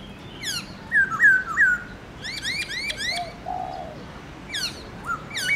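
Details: Captive black-throated laughingthrush singing a varied forest-voice song in the morning: three bright whistled slurs, a run of repeated rising notes, a soft low whistle, then sharp falling sweeps.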